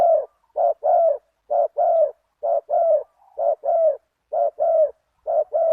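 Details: Spotted dove decoy with a deep one-kuk 'big voice', calling to a target bird. Steady, rhythmic mellow coos of a short note followed by a longer falling note repeat about once a second, with clean, quiet surroundings.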